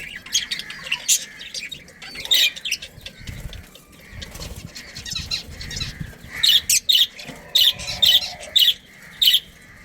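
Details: Breeding colony of budgerigars: scattered scratchy chirps early, then a run of about six loud squawks spaced roughly half a second apart near the end, with low rumbling noise between.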